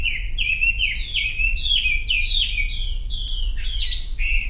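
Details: Lure song from a Sumatran leafbird to get silent birds singing: rapid, repeated, downward-slurred whistled notes layered in high bands, over steady low-frequency noise.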